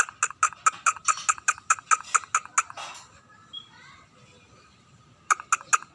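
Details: Scaly-breasted munia singing: rapid repeated clicking notes, about two to three per second, a short soft squeak during a quiet pause, then the clicks resume.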